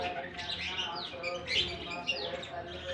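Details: Lovebirds released into a colony for summer in Germany; soft, dense twittering of many birds with short downslurred chirps and a steady low hum beneath.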